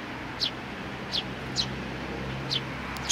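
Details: Short high sparrow chirps from 27 June 2019, with a little one making an effort. Four separate notes come about one second apart against quiet, steady background noise.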